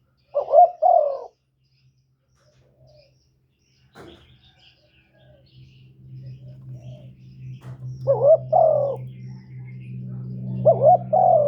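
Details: Spotted dove coos used to excite wild doves: three mellow two-part phrases, one at the start and two near the end, with a growing low mechanical hum and a couple of knocks in between.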